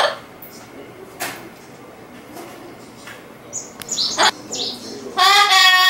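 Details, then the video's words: Calling to a white cockatoo one floor up, an Amazon parrot indoors gives scattered high whistles and clicks, then a loud, nasal, strongly harmonic squawk for nearly a second at the close. "二階に居る タイハクオウムに呼びかけるボウシインコ"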